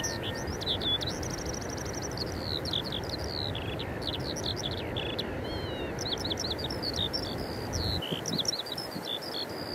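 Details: Eurasian skylark singing, Eyemouth, 30 May 2024, captured with a Canon EOS 90D and Sigma 150–600mm lens; a continuous high warble of chirps, a fast rattled trill near the start and slurred notes, over a low noisy hiss.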